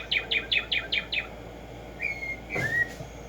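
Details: Tumba Yegua (Black-striped sparrow, Arremonops conirostris) singing: six loud, evenly spaced downslurred notes in quick succession, followed by a pause, a long level whistle and a rising slurred whistle, and a brief low knock.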